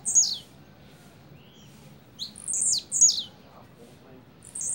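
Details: Blue-black grassquit singing its double song, thin high buzzy notes falling in pitch, paired closely and repeated after short gaps, against a soft low hum.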